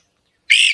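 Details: Great crested flycatcher in Upstate New York gives its most commonly heard call: a single loud, burry whistled note, rising slightly and lasting about a third of a second, after silence.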